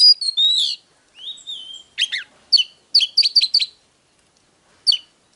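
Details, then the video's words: Oriental magpie-robin song for stimulating a male: an opening sweet whistled phrase and a long soft slur, then a quick series of sharp, clipped chip notes repeated in bursts. "Chòe than HÓT"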